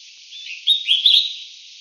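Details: Collared finchbill (Spizixos semitorques cinereicapillus) delivering one short bright phrase: a soft lead-in note followed by two quick loud slurred chirps, over low background hiss.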